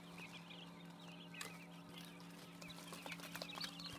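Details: Six-day-old quail chicks giving soft, high, wavering peeps in scattered bursts over a steady low electrical hum, with occasional faint clicks.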